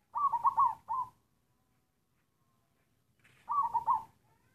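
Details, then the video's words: Black zebra dove of local wild stock, cooing in a halting, coughing style: a burst of quick stuttered coo notes, a short extra note, a pause of two seconds, then another stuttered burst. "Suara perkutut hitam batuk batuk tersendat sendat"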